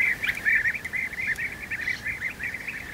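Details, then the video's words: Adult European bee-eaters bring food to young at the nest. Busy chatter of short, burry rolling notes runs without pause, several birds overlapping, with a few faint sharper ticks behind. "Guêpier d'Europe,nourrissage des jeunes au nid"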